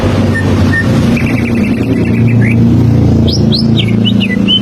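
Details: Standard greater green leafbird song played as a lure for young leafbirds learning to sing: a couple of whistled notes, a fast stuttering trill, then high upward-slurred whistles, over loud low rumbling noise.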